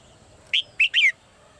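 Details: Female bird kept in a cage gives one three-note phrase: a short bright chirp, a second chirp, then a longer whistle that slides downward. The background is quiet.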